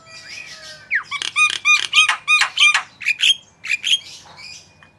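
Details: Javan myna singing a lively masteran song used to prompt other birds to sing: squeaky, harmonic whistled notes and rapid chattering bursts, some notes sliding upward, delivered in a quick irregular sequence.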